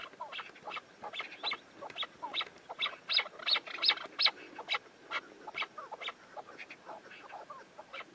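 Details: Chukar partridge chattering in a fast, uneven series of sharp, bright notes that swell louder mid-way and then fade, with overlapping calls suggesting more than one bird.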